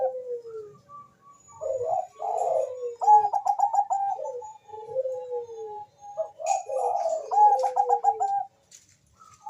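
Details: Bangkok-type zebra dove, a lively singer used to stimulate mating urge and singing; bubbling gurgled coos with rapid stuttering trills and long descending slurred notes, several overlapping phrases.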